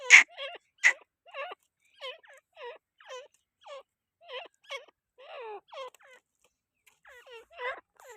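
Grey francolin giving a run of short, harsh, upward-inflected notes about twice a second, opening with two loud, rasping bursts.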